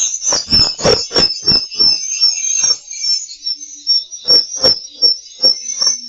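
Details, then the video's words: Swiftlet lure calls from a call-and-roost playback technique for a bird house: a steady sheet of high chittering chirps over irregular, sharp clicks that cluster at the start and again near the end. "teknik 2suara panggil dan inap yg terbukti mampu menginapkan burung walet"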